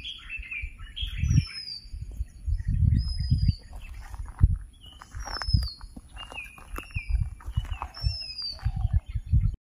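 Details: Red-whiskered bulbul in India giving bright, liquid chirps and short down-slurred whistles in quick irregular bursts, over low rumbling wind or handling noise.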